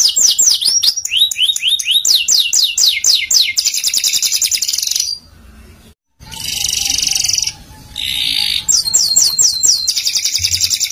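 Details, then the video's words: Canary singing in a masteran training recording: series of descending whistled slurs and a fast buzzing roll, a short near-silent break, then more dense trills and rapid downslurred notes. "MASTERAN KENARI | CANARY SINGING"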